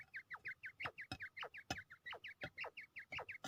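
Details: Fighting quail in Pakistan, ready for combat: a rapid string of short, bent, chirping notes, close to three per second, among loud sharp clicks.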